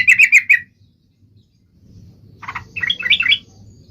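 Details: Yellow-vented bulbul, a recording meant to prompt other bulbuls to sing: a quick run of four bright, repeated chirps, a pause, then a looser warbling phrase of lilting notes over faint low hum.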